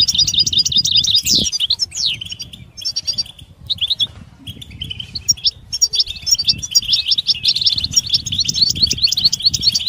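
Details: Mating and readiness twitter of a European goldfinch, meant to make males sing: busy tinkling high chatter with quick descending slurs, broken by short gaps, then resuming in a thick run of sharp repeated notes.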